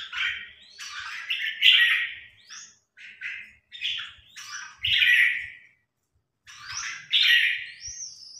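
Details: Red-whiskered bulbul, a new bird trained against a top provincial-ranked bulbul; short bursts of rich, slurred chirping phrases, some ending in quick rising upslurs, separated by brief gaps, with soft knocks in the background.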